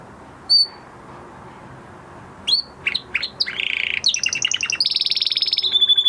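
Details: Male canary after his moulting period: a few scattered chirps build into a rapid buzzy trill and a high steady rattling phrase, with faint room background.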